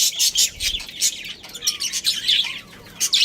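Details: Chirping from a breeding pair of budgerigars: dense, rapid high chatter with sharp tweets and buzzy warbles running almost without pause, plus a few softer rising whistles.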